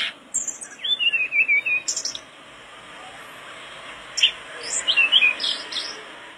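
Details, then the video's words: Mangrove blue flycatcher singing in two bursts of quick, warbling whistled notes, each separated by a lull, over a steady hiss of background noise. "tledekan bakau gacor teler"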